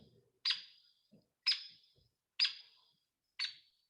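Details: A Hairy Woodpecker gives four sharp, loud peek call notes, about one a second, each abrupt and fading quickly, bigger and more resonant than a Downy's call; faint room murmur beneath.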